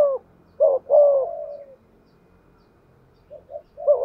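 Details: Spotted dove decoy bird with a 'giọng thổ' voice giving 'thúc gù' cooing: low hollow coos, a short note followed by a longer falling one, then softer quiet notes after a pause.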